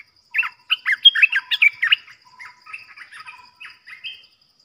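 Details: Decoy bulbul for trapping, delivering loud, lively bubbling phrases of rapid slurred chirps, then softer trailing notes and a final rising whistle.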